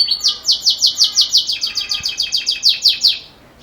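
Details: Belgian canary in 'campainha' bell-style song, suited to teaching young birds: a clear, loud run of about sixteen evenly repeated, ringing downward notes, tapering into quiet at the end.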